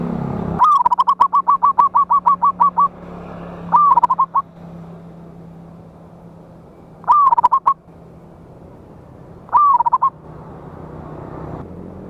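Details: Wild local zebra dove singing loudly, a trapping lure from 11/8/24. A long burst of rapid, even, whistled coo notes, then three shorter phrases, each opening with a falling slur and a few quick notes, with a steady low hum.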